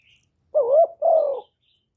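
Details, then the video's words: Spotted dove calling continuously as a lure for wild doves, recorded without background noise. A two-part coo: a wavering, rising first note running straight into a long, even, slightly falling second note, then silence. "CU GÁY LIÊN TỤC KÍCH BỔI RẤT HIỆU QUẢ"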